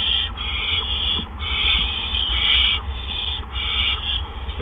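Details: At a barn owl nest during an evening double gopher delivery in April 2013, long breathy rasping hisses follow one another with brief gaps, about five bursts, over constant low background hum.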